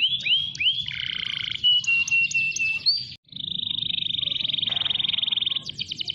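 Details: Canary song used as a training model for other canaries, mixing upward-hooked whistles, level whistled notes, a long fast buzzy trill and closing rapid chips; steady low background hum.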